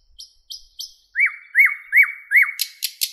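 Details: Morning thrush nightingale song in a Moscow city park in May: three high whistles, four repeated upslurred-downslurred notes, then three sharp loud clicks.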